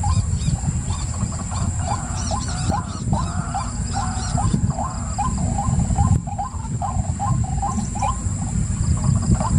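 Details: White-breasted waterhen delivering rapid series of clipped, hooked notes in uneven bursts, some doubled, with harmonic croaks early on. Persistent low rumble and a steady high whine fill the background.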